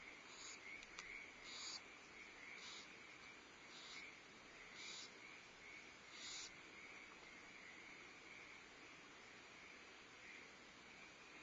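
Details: Barn owls at a nest at Starr Ranch on 14 February 2011: the female feeds owlets while the male brings prey. Several short, breathy hissing bursts come at uneven intervals over a steady electrical hum.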